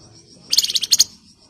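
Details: Flamboyan giving a short rapid burst of high sharp chattering notes, about ten quick pulses within half a second.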